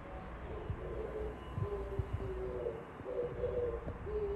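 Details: An Oriental turtle dove singing outside a window: low coos in short phrases with small gaps, accompanied by faint low knocks and a steady background rumble.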